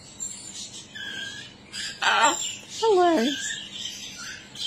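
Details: A blue-and-gold macaw in Norlane, Victoria, talking while practising gymnastics, speaks two short, hoarse, falling syllables that sound like a word, while small birds chirp faintly in the background.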